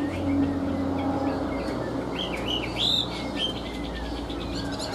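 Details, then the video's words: Chinese hwamei, described as singing well, gives a few short slurred whistled phrases midway through, partly masked by broadband background noise and a low hum. "Ngũ trường bộ to, hót tốt, bóng bộ cực đẹp | Họat Họa Mi"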